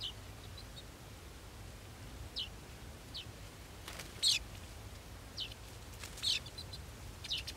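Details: Young golden sparrows waiting to be fed utter scattered, thin, high squeaks and brief downslurred chirps every second or two, with a soft hiss behind.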